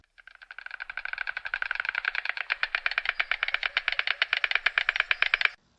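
White stork bill clattering: a dry, wooden rattle of rapid knocks that quickly speeds up and grows louder, then holds steady for about five seconds.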